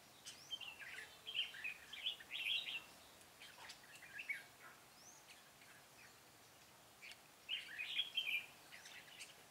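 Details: Red-whiskered bulbul decoy singing its fighting song during trapping on 13 March 2017, recorded outdoors at a distance: short warbled bubbly phrases in scattered bursts over steady background hiss.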